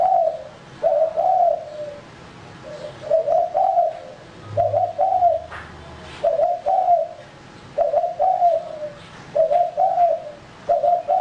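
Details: Male lure spotted dove repeating soft rolling coo phrases at a steady pace, each set of two or three notes dropping slightly in pitch, with a low brief thump in the middle.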